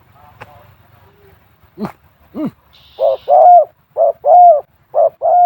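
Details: Spotted dove with a small voice, a two-coo type, moulting so that only two tail feathers remain. After two sharp claps, low cooing phrases each pair a short coo with a longer one, three times at about one-second intervals.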